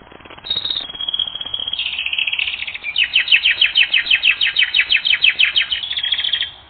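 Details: Canary singing in a training recording: brief high notes and a held tone, then a fast, regular series of sweeping chirps repeated about three times per second with steady rhythm.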